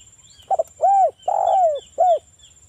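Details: Lure song of a local spotted dove in 'ngalas' wild style, meant to make other doves reply: a quick double note, an arched coo, a long rough coo falling in pitch, and a final short arched coo, all low and mellow over a thin steady whine.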